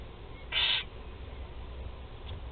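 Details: One of four barn owl chicks at a nest in Théding, France, fed on 16 July 2020, gives a single short, harsh hiss, then near quiet.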